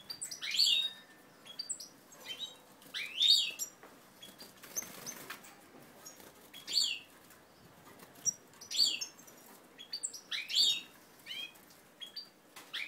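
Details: European goldfinches of a native ancestral strain during pair formation, recorded 20 March 2012; short bright twittering and chirping bursts recur every two to three seconds, separated by quiet gaps with faint rustling.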